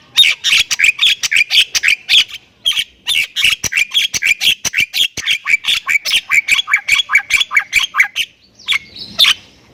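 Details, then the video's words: Javan myna (Thailand type) in full, vigorous 'isian' song: a long, fast stream of harsh chattering syllables, roughly four per second, ending in a drawn-out rasping note. "MERINDING DENGAR OCEHAN BURUNG JALAK INI || Jalak Kebo Thailand Gacor Full Isian"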